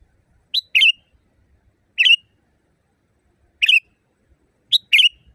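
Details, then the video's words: Sooty-headed bulbul, a loud, natural-sounding song used as a training recording for caged birds. Four phrases over five seconds mix paired notes with single burry notes. Clean, quiet background. "Masteran burung kutilang di tempat raja kutilang. Suara keras fulll alam"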